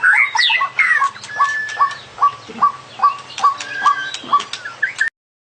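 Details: White-rumped shama of the long black-tailed form singing its full song repertoire: a rich opening of varied whistles and chattering notes, then a clear whistled note repeated about every half second, with overlapping higher phrases, ending abruptly.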